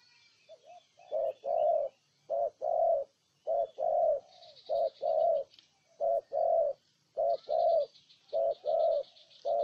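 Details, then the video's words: Low repeated cooing of a spotted dove, Ninh Thuận province, Vietnam: about eight short-then-long coo pairs in regular succession, with thin high chirping of other birds in the background. "Cu Gáy Ninh Thuận"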